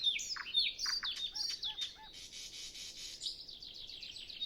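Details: Before sunrise on a still, windless morning a nightingale sings alone: sweeping high whistles, a few soft low looping notes, then a long fast rattling trill. Recorded with Zoom F6 and Sennheiser MKH 8040.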